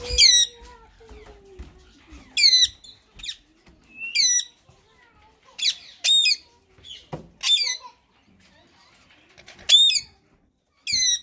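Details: Two rose-ringed parakeets, a white male and a green bird, described as in talking mode: loud harsh squawks with stacked harmonics, each about a third of a second, repeated at irregular intervals, with soft low murmuring between.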